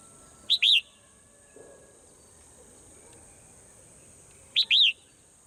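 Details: In the morning a swallow gives a short chirp followed by a curved whistled note, then repeats the same pair about four seconds later. A steady high whine underlies the recording.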